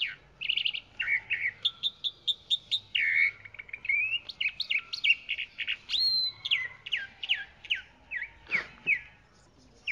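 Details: A chalk-browed mockingbird delivers a long, varied song of repeated chirps, buzzy slurs and quick sweeping notes grouped in short series, switching phrase type every second or two, with one sharp click late on.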